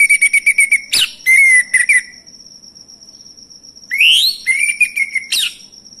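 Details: Male orange-headed thrush, used as a lure so other birds start singing: stuttering runs of clear whistled notes and slurred phrases, a silent gap, then rising whistles and a falling slur, over a constant high-pitched drone.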